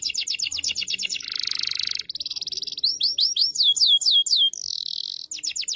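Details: Canary singing energetically and with emotion, a recording played to help young canaries learn sounds. The song is rich and varied: rapid high trills, a dense buzzy stretch, a series of quick rising whistled sweeps, then another buzz and more fast trills.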